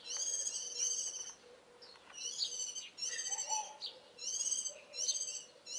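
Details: Warbling white-eye song in the early morning, recorded in mid-April 2012: bright, high twittering phrases in quick bursts of about a second, repeated with short gaps, plus a lower, softer warble partway through.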